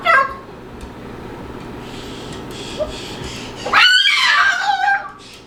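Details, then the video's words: Pet male Moluccan cockatoo making noises during play: a brief cry at the start, then a long, loud, harsh rising-and-falling squawk near the end over a quiet indoor background. "Moluccan Cockatoo Talking Compilation and Playing Running Jumping Making Noises"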